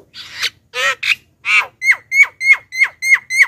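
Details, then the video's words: Javan myna sound used to attract wild birds: a few rough, buzzy notes followed by a rapid run of clear, downward-sweeping whistled notes, about three per second. "suara JALAK KEBO pikat"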